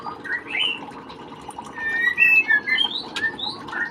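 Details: Ringing of white-rumped shama chicks: soft, thin whistled chirps and short rising notes at irregular intervals over a steady low background noise.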